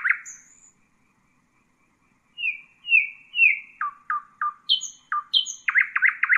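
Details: Nightingale song used for teaching young birds: a single low note, then a pause, then repeated descending whistled slurs, a run of short clipped notes, high thin whistles, and a fast burst of rattling notes at the end.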